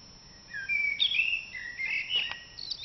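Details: Common blackbird singing during an April dawn chorus: a continuous run of fluty, gliding whistles that rise and fall, with a few brief higher notes at the end.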